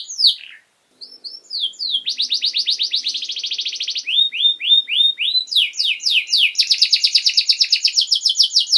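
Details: Canary teaching song for young birds: a few slurred whistles, a fast buzzy trill, a row of downslurred notes, then long rapid rattling trills.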